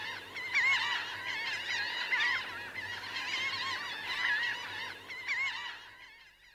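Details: Laughing gulls, a flock of about 1000 birds on the ground and in flight, giving a continuous mass of overlapping nasal cries that fades out toward the end.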